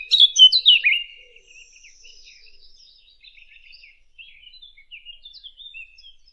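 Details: Fig bird call used as a hunting lure: a loud burst of sharp, descending chirping notes at the start, then faint, scattered high twitters and thin whistles trailing off.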